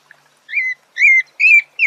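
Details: Thrush (sabiá) singing: four clear whistled notes near one pitch, each about a quarter second long, the last rising slightly, delivered at an even, unhurried pace with quiet pauses between and no other sounds.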